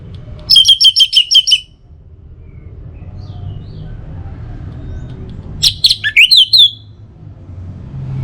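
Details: Orange-headed thrush song for morning and evening, meant to get other birds singing: a fast burst of about seven sharp repeated notes, a pause, then a varied phrase of slurred whistles, with low background rumble.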